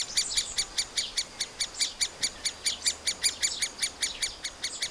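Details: Middle spotted woodpecker chicks in a tree cavity nest, fed by both parents, recorded on a Panasonic FZ2000: an even train of sharp, high chirps, roughly five each second, with little background noise.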